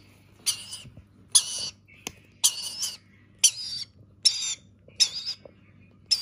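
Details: A rainbow lorikeet chick at feeding time gives harsh, raspy begging squawks, about seven short bursts roughly one per second, with a faint low hum behind.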